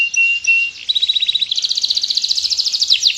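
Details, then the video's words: Canary in a long continuous training song: a held whistled tone, a short trill, then a rapid, buzzy, high repeated trill. "NGOTOT Rol panjang...||Burung Kenari Gacor Siap Buat Masteran."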